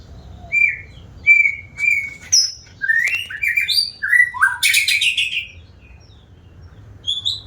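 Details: An actively singing white-rumped shama gives clear, separate whistled notes, then speeds into a tumbling run of slurred and buzzy phrases that peaks loudly before one last thin high note.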